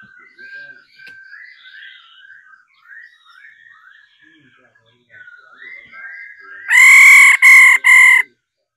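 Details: Female laughingthrush 'ro' singing to excite males into song: about six seconds of soft, varied whistled warbling, then three loud, harsh, nasal blasts in quick succession.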